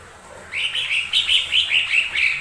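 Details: Lesser green leafbird singing as a lure to draw other birds into song: after a short quiet gap, a steady run of sharp, chirping notes repeats roughly every quarter second. Faint background hiss throughout.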